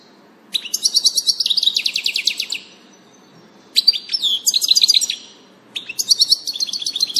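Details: European goldfinch recorded on 16 June 2018, giving three bursts of bright, tinkling twitter about two seconds long each, mixing liquid rapid trills with buzzy, nasal notes, separated by short pauses over faint low background hum.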